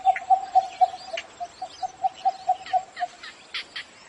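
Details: Cinnamon bittern calling in the morning: a steady run of short, mid-pitched knocking notes, about four per second, with faint chirps from other small birds higher up and a thin constant whine throughout.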